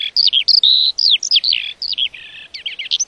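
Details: Unbroken lark song, a rapid jumble of high twittering notes, rising and falling slurs and short buzzy phrases pouring out without a break.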